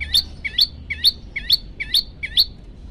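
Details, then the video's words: Olive-backed tailorbird, hungry and singing actively, repeats a sharp high chirped note in two parts about twice a second, six times. A low hum runs underneath. "prenjak lumut lapar gacor"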